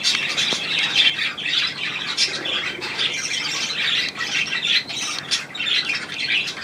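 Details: Budgerigars bathing indoors in a room given over to budgies, filling the air with continuous busy chatter of warbling, scratchy squawks and chirps, dense and overlapping throughout.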